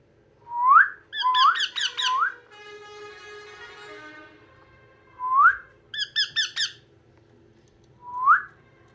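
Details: A yellow rose-ringed (ringneck) parakeet gives clear rising whistles, each followed by quick bursts of chirpy notes, repeated every few seconds; a steady tonal hum runs in the background.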